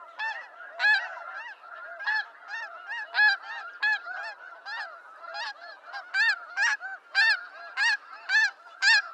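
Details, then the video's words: Wild snow goose flock in eastern North America: nearby birds give loud, clipped, high honks roughly twice a second over a softer background chorus of distant geese. "Snow Goose Sounds"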